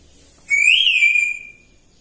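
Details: Pet grey parrot indoors in a morning mood: one clean whistle that rises, bends over and settles to a steady held tone for about a second, with bright overtones above it and a quiet background.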